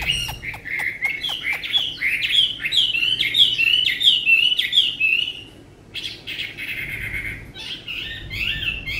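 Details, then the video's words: Caged Chinese hwamei, a tame bird praised for its fine voice, singing loud, varied whistled phrases: a run of quick sharp chips at the start, then rich warbled rising and falling notes, a brief pause and more fluid whistling. "họa mi ccdv1121 thuần đẹp giọng hay quá"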